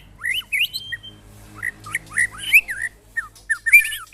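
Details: Caged white-rumped shama singing during a mental test against neighbours' birds: varied whistled phrases, rising and falling notes with quick slurred trills, bursts separated by short pauses.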